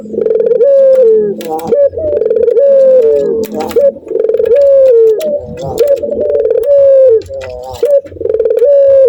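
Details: Male Barbary dove in breeding condition, cooing repeatedly toward a female in the laughing style. Four low, mellow phrases each begin with a tremble and end in a falling glide, about two seconds apart.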